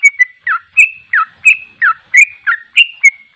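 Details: Rapid ropel-style phrases from a sooty-headed bulbul, bouncy whistled notes with downward slurs, around three per second, sustained throughout.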